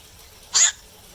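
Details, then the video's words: At night, a black-crowned night heron gives one abrupt, rasping kwak, a single brief croak standing out from quiet background noise. "เสียงนกแขวก นกแขวก (กลางคืน)"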